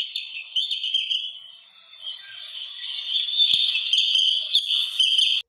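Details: An Oriental magpie-robin (Copsychus saularis), a resident songbird, sings a run of sweet, high whistled phrases, varied and continuous, with sharp chirps in between; a few faint clicks in the background.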